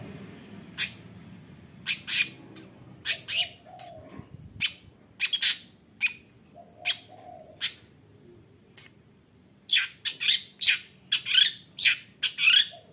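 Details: Female long-tailed shrike used to prompt other shrikes into singing: sharp, bright chirps given singly and in quick clusters, irregularly spaced across the recording, over a faint low hum with a couple of soft lower notes.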